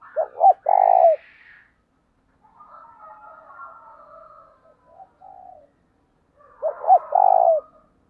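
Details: Spotted dove in thổ đồng voice calling early in the morning to lure others: a loud stuttered phrase ending in a long coo, a stretch of soft low cooing, then the loud phrase again.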